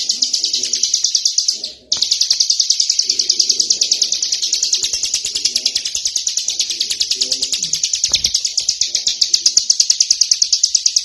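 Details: A tame Bar-winged Prinia singing out of its cage, a continuous, rapid, high-pitched buzzy rattle of fast repeated notes, with faint low voices and room sounds beneath.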